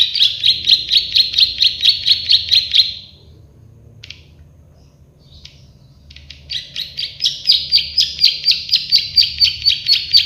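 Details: Plain prinia song in a training recording: a run of buzzy repeated clicks about twice a second, a few seconds of near silence with isolated chips, then the clicking series resumes strongly.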